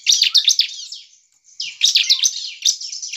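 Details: A bar-winged prinia, singing to make other prinias sing back, gives fast, dense chirping trills of scratchy high notes, with a brief pause before another hurried burst.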